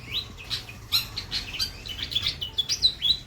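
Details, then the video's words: A white-breasted long-tailed shrike sings a rich song of brisk, high chips and thin upward-sliding whistles, tumbling quickly one after another. "CENDET DADA PUTIH MATERI MEWAH"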